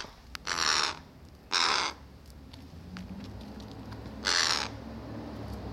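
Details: Crow amid a snack-stealing scene, one bird taking treats meant for another that follows hoping it drops them; three rough, broad caws, two close together then a third after a pause.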